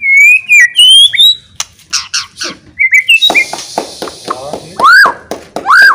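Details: Loud, lively song of a caged White-rumped shama meant to provoke other shamas into fighting; clear whistled notes and rising slurs mixed with harsh buzzy bursts and sharp clicks, strong and varied.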